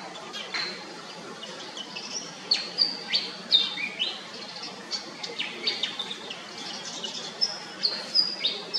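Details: Pied fantail giving sharp, high squeaky notes, a few thin whistles and quick downward-slurred chips in irregular bursts roughly every half second, loudest in the middle, against a quiet outdoor hiss.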